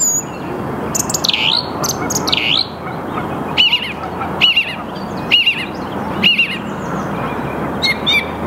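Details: Early-morning song thrush in Mülheim an der Ruhr, Saarn-Mendener Ruhraue, 8 March 2022, 08:10, Canon EOS R5: two swooping dipped whistles, then a short fluty phrase repeated four times about a second apart, ending in high squeaks.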